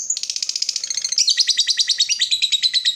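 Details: Lovebird bait song in ngekek style to prompt other lovebirds to sing. Dense rasping chatter, briefly stuttering, then steadier pulsed rattling continues at a rapid pace.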